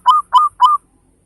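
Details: Local zebra dove, a big-voiced regular singer used to set other birds singing: three short, loud, evenly spaced cooing notes, each with a slight rising upturn, then silence.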